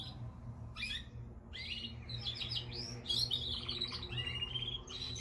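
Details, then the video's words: Pet canary singing indoors: a run of bright, rapid chirps and short warbled trills, quick rising and falling notes in a steady stream, over a low constant background hum. "Canary singing / Śpiew kanarka"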